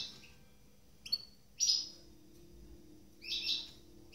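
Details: A cage-bred goldfinch mule that has just finished moulting gives a few short, bright, high chirps and twittering notes, spaced irregularly a second or two apart, over a faint steady hum.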